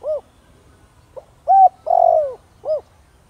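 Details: Spotted dove in the Thổ Đồng voice, calling to attract wild doves; one complete phrase framed by short rounded coos: a soft pip, a clear coo, a long buzzy falling croo and a final short coo.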